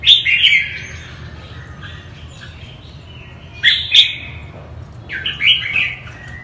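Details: Northern-type red-whiskered bulbul song: a rich chirping phrase opens, then a long quiet gap, then two sharp warbled bursts near four seconds and a final lilting phrase toward the end, over a faint low hum.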